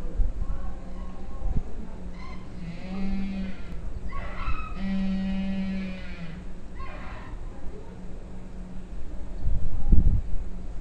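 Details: A captive penguin at the AQUAS aquarium in Shimane, Japan, gives a courtship call: a string of loud, buzzy, braying notes rich in harmonics.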